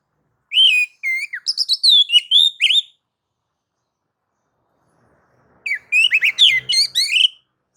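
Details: Oriental magpie-robin nagan and ngobra song used as a lure for other birds; a whistled downslur then rapid twittering notes, repeated after a pause of nearly three seconds in a slightly varied phrase.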